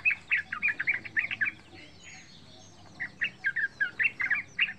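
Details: Young wild-style Yellow-vented bulbul, about three months old, used as a lure to get other bulbuls singing: bright chattering phrases of short notes, a brief pause, then another rapid burst.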